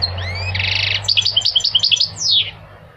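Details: A short goldfinch phrase, recorded to coach singing males and young birds: two rising thin whistles, a dense buzzy trill, then about eight quick chirping notes and a final descending run.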